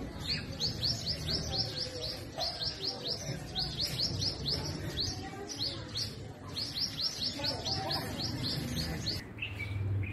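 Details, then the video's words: A sunbird at its hanging nest, feeding and protecting its young, gives rapid runs of thin, high chirps in quick bursts, pausing briefly between runs, over a steady low rumble of background noise. "Sunbird Sound - How Does Sunbird Calls Sounds"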